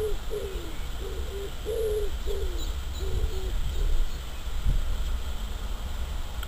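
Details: Common wood pigeon calling in the wild in March, spring: a phrase of soft, muffled low coos in a rhythmic sequence that fades after a few seconds, under constant low rumble and hiss.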